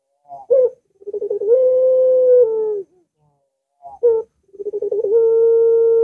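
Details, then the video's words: Reluctant-dove lure, puter dove with the long pelung voice: two phrases, each a sharp opening note, a pulsing trill, then a steady low drawn-out coo held for over a second. "Puter Macet Puter Malas Bunyi Langsung Ngaut"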